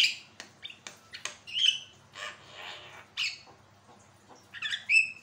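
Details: Javan myna singing, recorded as a model to set off song in other birds: sharp clicks and whistles, broad raspy squawks, then a final stacked whistled note.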